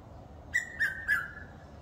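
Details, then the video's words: Piet-my-vrou, the red-chested cuckoo, recorded in a wildlife estate in Eastrand, Johannesburg, South Africa: a clear three-note whistled phrase, the notes closely spaced and stepping gently downward in pitch, over soft low background rumble. "Red Chested Cuckoo (PIET-MY-VROU)"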